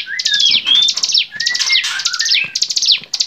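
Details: Energetic bar-winged prinia song kept for tutoring songbirds: dense high trilled chatter in short loud bursts, broken by clear rising and falling whistled slurs, all close and strong.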